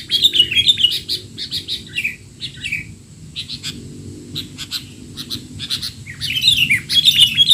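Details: Noisy, excited sooty-headed bulbul chatter for training young birds; fast bursts of high chirps and trills open and close the passage, with sparser clipped notes between.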